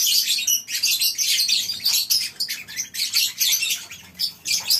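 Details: Colony-housed lovebirds on a breeding farm in the morning, producing bursts of sharp, squeaky high-pitched calls in quick, uneven pulses from many birds at once.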